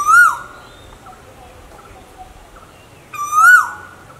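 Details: Two loud whistled Asian koel notes, about three seconds apart, each swelling upward then sliding down with a ringing tail. The recording features both male and female koels. Only a quiet background lies between the calls.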